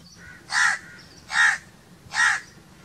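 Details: A crow repeats three coarse, grating caws at roughly even intervals of under a second, with faint bird calls between them.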